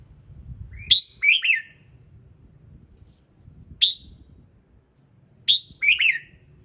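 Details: Morning song of a red-whiskered bulbul, used to get other birds singing: paired phrases of a sharp chip followed by a warbled descending note, separated by pauses, with an isolated chip between.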